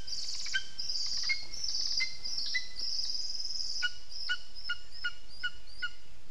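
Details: Lesser spotted eagle calling at the nest on 15 June 2021, mid-afternoon: a run of harmonic yelping notes, the first few drawn out, then a quicker series of short, sharp, evenly spaced yelps over a steady background hiss.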